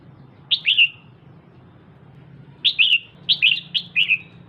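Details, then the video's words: ['Red-whiskered bulbul female, a kept bird, calling to excite a male: a pair of bright chirps, a pause, then a rapid string of six downward-slurring notes over low steady hum.'] "Chào Mào Mái DAM DANG Kích Trống Bắn Tùm Lum"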